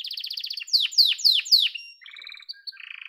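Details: Yellow domestic canary: a rapid trill followed by four loud descending whistled sweeps, then softer low rattles and short whistles.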